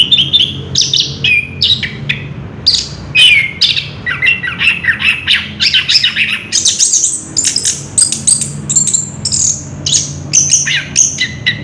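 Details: Caged orange-headed thrush recorded 3 March 2016, pouring out a long wild rolling song: harsh scratchy chatter and mimic-like notes building into high rapid whistled bursts.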